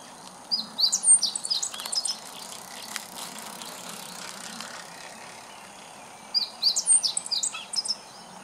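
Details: Meadow bunting singing as if calling out to the neighbourhood, recorded 19 July 2014: two bursts of high, quick chirped and twittered phrases about five seconds apart, with a quiet gap between and faint background hiss.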